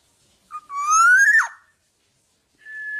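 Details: Tame black-naped oriole kept without a cage, singing actively: a fluty whistle slides upward with a sharp downward flick at its end, then after a pause a level clear whistled note begins. Quiet background.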